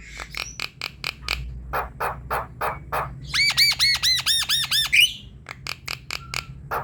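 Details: Javan myna singing actively while bobbing its head, played to stir a quiet myna: staccato clicks and harsh rasps, a loud burst of rapid ringing looped notes midway, then more clicking chatter.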